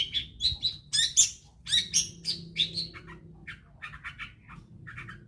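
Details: Long-tailed shrike song meant to prompt other shrikes into song: quick high chirps and squeaky whistles in a dense opening, then softer, lower scratchy notes spaced out, with a faint hum behind.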